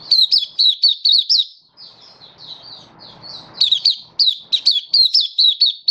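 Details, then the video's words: Hobby-kept Malaysian white-eye in full song in Singapore, warm sunny day, 20 March 2023; fast series of high bouncing chirps, a softer thin twittering stretch, then the sharp repeated chirps resume. "Malaysian Mata Puteh Happy Buka Sing"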